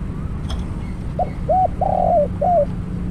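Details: Decoy spotted dove used to trap wild doves: a single phrase of four coos, a soft short note, an arched coo, a long burry coo falling away and a final hooked note, over a faint steady hum.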